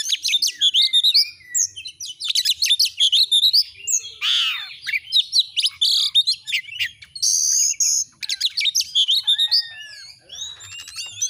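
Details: Oriental magpie-robin (kacer) singing vigorously in a clear training recording: rapid chirps, trills and whistled notes with a loud descending sweep near the middle, delivered in dense, almost continuous bursts.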